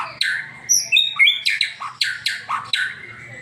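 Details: White-rumped shama song used to prompt a pet bird into singing, with rich varied whistles and a steady series of loud, sharp downslurred notes about four per second.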